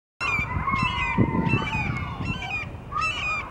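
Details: On 24 February 2023, a red-shouldered hawk gives a quick series of loud, harsh, ringing screams, about five in three seconds, each slurring downward, over a low background rumble.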